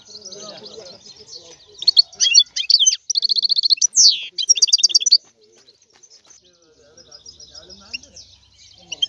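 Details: European goldfinch singing a burst of rapid, high, tinkling trills and a sharp descending buzz, surrounded by quieter low rustling background.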